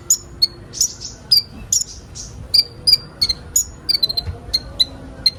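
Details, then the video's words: Kolibri ninja sunbird used as training material for young birds: rapid, irregular series of thin, piercing high chirps, some doubled or clustered, over a quiet low rumble. "Burung kolibri ninja bahan ombyokan cepat gacor"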